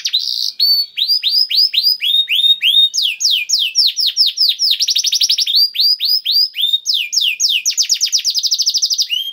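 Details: Canary song as a lure to start other canaries singing: long sequence of clear up-swept whistled notes about four per second, alternating with very fast rattling trills, clean and steady throughout.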